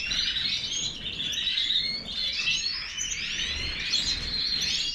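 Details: Major goldfinch in full song, a dense run of bright chirps, liquid twitters and brief trills that flow into one another without a break.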